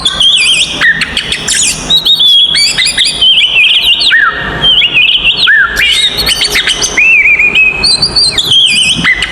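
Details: Oriental magpie-robin singing a fighting song to provoke other magpie-robins: long, rich run of whistled phrases, trills and quick slurred notes, high-pitched and almost unbroken for nine seconds, with some steady low background hum.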